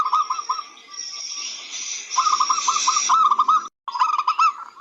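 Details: Local zebra dove singing as a tutor for other birds: bursts of rapid rolling coos, a steady high whine overhead, a brief dropout, then the coo series resumes.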